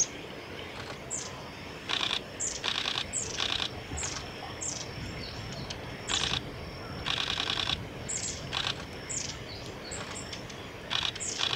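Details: Long-tailed tits bathing at Gongenyama Bird Sanctuary, Japan, on 8 September 2018; thin, very high notes and short buzzy trills come in bursts every second or so, with water splashing between them.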